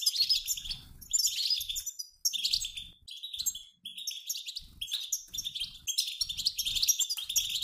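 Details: European goldfinch group of both sexes twittering like a passing flock, meant to stimulate males to sing; dense, almost continuous high tinkling chatter in pulsing waves, scratchy buzzy notes mixed in, faint low knocks beneath.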